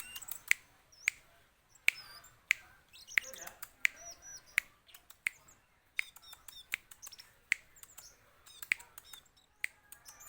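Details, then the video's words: Young streaked weaver, five months old: sharp dry clicks repeated roughly every half second, with short high chirps and thin whistled slurs in between. "bangsit teler"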